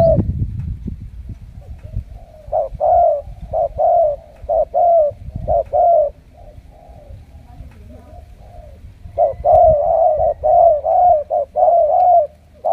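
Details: Trained decoy Spotted Dove from Cà Mau, đồng siêu gù style, gives runs of deep coos in short-and-long pairs, a quieter gap midway, with a man's voice at the start.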